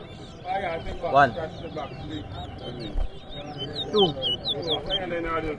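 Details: Towa towa singing in round 2 of a bird competition at Rosignol, Berbice, Guyana: high, quick whistled phrases of rising and falling notes run steadily behind a man counting aloud, with other birds and crowd noise below.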